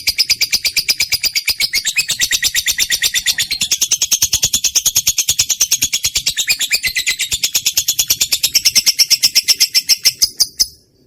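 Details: Trained pet lovebird with a practised voice, recorded as a lure to make quiet birds sing: a long, unbroken rapid chatter of high, buzzy twittering notes for about eleven seconds, shifting pitch slightly before stopping abruptly.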